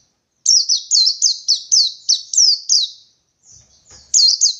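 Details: Wild white-eye in 'ngalas 123' song, 123 beats, looking for a rival. A fast run of about nine sharp, high, downward-slurred whistles is followed by a brief softer section, then a loud double note.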